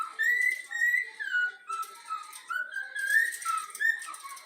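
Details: A yellow-cheeked cockatiel youngster, a home-trained pet, renders the Flamengo anthem as smooth connected whistles, gliding between higher and lower notes in a flowing, tuneful line.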